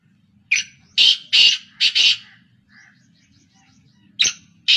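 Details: Three black francolins (kala teetar) calling in continuous action; one full harsh phrase of a chirp, two grating bursts and a double note, then faint distant chirps, before the next loud rasping call begins.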